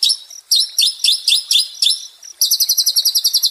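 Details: White-rumped shama singing, meant to calm a stressed shama and revive its fighting spirit: high scratchy chattering notes in short bursts, ending in a rapid even trill of bright repeated notes.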